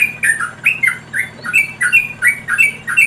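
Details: A wild yellow-vented bulbul parent feeds its chicks, which give harsh, rasping squawks, about two or three a second, each a short falling chirp in an urgent, uneven series.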